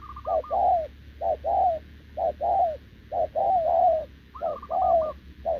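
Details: Wild-caught short-legged spotted dove cooing without pause toward a decoy bird, 6 November 2024; low paired coos repeated roughly every second, overlapped twice by a higher, quicker stuttering coo from another dove.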